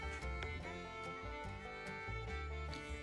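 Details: Bowed fiddle music with steady sustained notes and a low accompaniment; no animal voice is heard.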